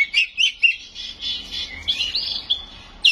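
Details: Oriental magpie-robin (kacer) singing in the gacor style full of isian, or mimicked fill-in phrases, with loud nembak notes: short bright whistles and chirps repeated several times a second, then longer sweeping whistled phrases.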